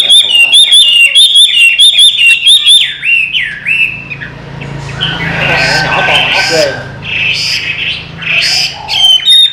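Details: Owner-trained Chinese hwamei from the Mekong Delta region of Vietnam. A series of clear, ringing whistled notes repeats rapidly at the start and gives way to rougher sounds and background voices, then short whistles return at the end.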